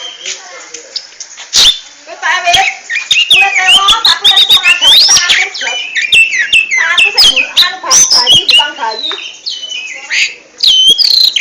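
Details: Oriental magpie-robin, a contest kacer, pouring out a dense, varied song of high whistles, chattering notes, rising and falling slurs and sharp clicks, almost continuous across the phrase with only brief gaps.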